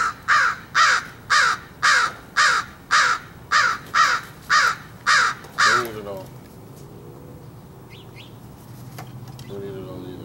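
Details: Crow cawing at something during feeding: about ten rapid, harsh caws in an even series, then quiet with a person speaking softly.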